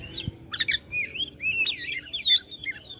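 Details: Oriental magpie-robin from Bandung, Indonesia, singing to goad other magpie-robins: short whistled slurs and chips, then a loud harsh rattling burst blending into rising and falling whistles.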